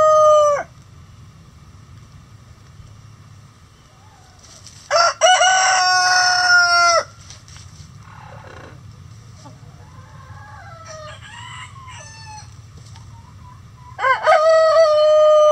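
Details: Chickens of a mixed egg-laying flock inside the coop. The end of one crow is followed by a full, loud, ringing rooster crow near the middle and another crow starting near the end, with softer clucks and chatter between them.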